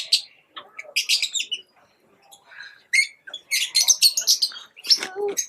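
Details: Lovebirds kept as pets chirp in rapid, shrill, scratchy bursts, about four notes a second but unevenly spaced, with a quieter pause near the middle before a dense, harsh run.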